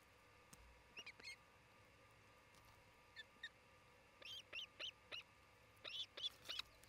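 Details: Osprey at a nest camera site in Charlo, Montana, June 27, 2018, around midday: faint high whistled chirps in short clusters over a steady background hiss, becoming quicker and more frequent in the second half.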